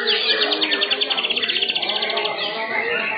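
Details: White-rumped shama singing at a bird-singing competition arena in Indonesia, general class, placed second: a fast series of bright, repeated whistled notes, about two and a half per second, over a busy background of other birds and crowd murmur.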